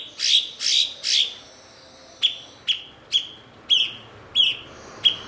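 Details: Master-bird blue-winged leafbird for training songbirds: three long, bright, rasping notes in quick succession, then seven shorter sharp, falling chirps roughly every half second.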